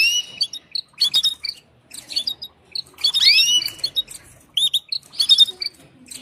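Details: Female canary calling to a male for mating: bursts of high, sharp chirps and squeaky notes with several sweeping, arching whistles near the middle, separated by short silences.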